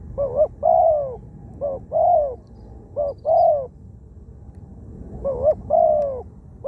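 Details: Spotted dove used as a ground decoy bird in Thailand, a wild-caught bird with a small voice and many coos; repeated two-part coos, a short wavering note then a longer falling one, four phrases, faint background hum.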